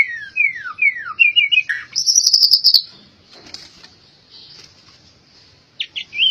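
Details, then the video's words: Albino white-rumped shama singing: several downslurred whistles and quick trilled notes, a high buzzy run, then a long quiet stretch before a brief high whistle returns at the end. "Murai Batu Albino Istimewa"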